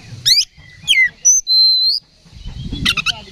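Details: Oriental magpie-robin fight-provoking song: two swooping whistled slurs, then long pure level whistles, followed by a quick burst of scratchy notes at the end.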